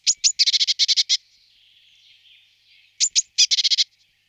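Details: Eurasian blue tit calling: two thin, very high sharp notes lead into a fast, buzzy churring rattle of about eight notes. The phrase is given twice, roughly three seconds apart, with a faint low hiss in the gap.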